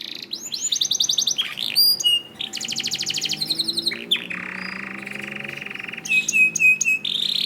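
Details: Master canary song to get other canaries singing: fast pulsed trills, a long buzzy roll, and bursts of clear repeated high chips, changing tour every second or two, with a low hum behind.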